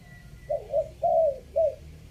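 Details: Spotted dove giving a three-note coo, two short low coos followed by a longer drawn coo and a final short note, in a quiet setting.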